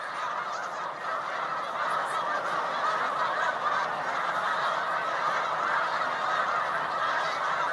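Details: Large flocks of Snow Geese, white and dark morphs, pausing on Cayuga Lake, New York, during spring migration on 20 March 2021, fill the air with constant overlapping honks, a rapid dense chatter steady from start to finish.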